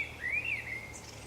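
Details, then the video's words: Common blackbird singing on the Camino de Santiago at Zamudio on 28 March 2019: one warbled, fluting phrase swooping up and down, closing with a brief high, thin twitter. "ZOZO ARRUNT BATEN KANTA 2 _2019.03.28_ Turdus merula (Canto de un mirlo común 2)_"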